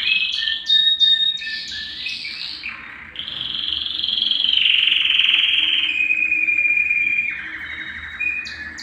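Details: Belgian canary singing to warm up males and bring females into breeding condition: long sustained rolling trills, with short clipped notes at the start, then a drawn-out tour at steady pitch that gently falls.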